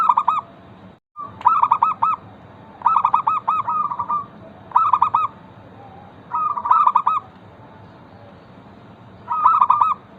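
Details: Local zebra dove singing, used as a lure to prompt other zebra doves to sing: short stuttering cooed phrases of rapid notes, about six bursts spaced one to three seconds apart, louder and softer phrases alternating.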